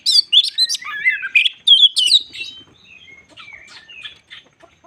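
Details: White-crowned shama used as a lure for other shamas, opening with quick loud whistles and chips that fade into softer, sparse notes.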